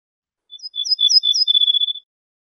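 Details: Single song phrase of an Ortolan bunting (Moroccan name bouh fassi), from an assembled tape of wild bird songs: about one and a half seconds of rapid, high, ringing repeated notes, steady in pitch, on a silent background.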